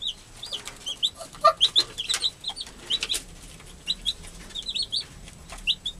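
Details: American hen with freshly hatched young: many high, brief chick peeps in loose bursts, a few lower soft notes around the middle.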